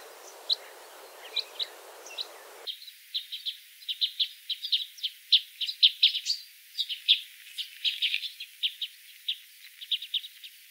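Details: Red crossbill (Loxia curvirostra) flight calls, loud metallic 'glip' notes strung into quick series of several per second, sometimes overlapping as from a small flock or family group; light background hiss.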